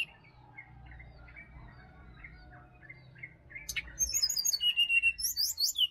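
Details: Quiet Bali forest in the morning with faint distant chirps, then the wild sirdadu breaks in with rapid, very high, bright whistled notes repeated in quick bursts and shifting pitch.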